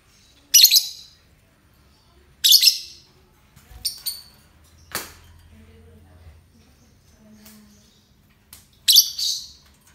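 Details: Scattered sharp, high chirps from a euwing lovebird, about five loud notes spread over ten seconds with a few softer clicks between them.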